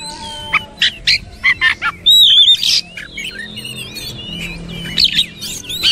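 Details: Song of an Oriental magpie-robin kept as training material, mixing short harsh chirps with sweeping whistled phrases, loudest near the middle, plus quieter warbled notes and faint background hum.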